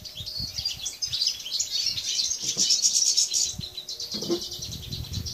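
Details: Caged European goldfinch, subspecies balcanica, singing in an aviary on 13 June 2014: a dense, rapid, high twittering stream of liquid trills and chirps throughout, with faint low background rumbles.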